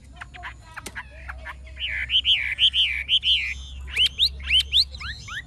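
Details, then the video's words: Chinese hwamei, old and wild-caught, with a forest-style voice: scattered sharp chips, then loud wavering whistled phrases and quick rising whistles in a lively run, with a low hum beneath. "Họa mi già rừng chuẩn giọng rừng hay"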